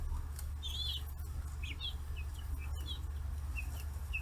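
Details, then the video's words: Free-range 40-day-old chicks on a farm in Kitahiroshima, Hiroshima, Japan, crowding around fish heads; short arched high peeps scattered through the clip, about eight calls, over a steady low rumble. "生後40日 魚頭に群がる中雛！chicks chirping sounds"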